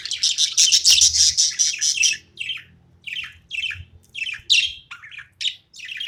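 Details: Pet budgerigar at play, chattering in dense, scratchy high chirps run together for about two seconds, then breaking into short separate squeaky notes, some dropping in pitch, spaced about a third of a second apart.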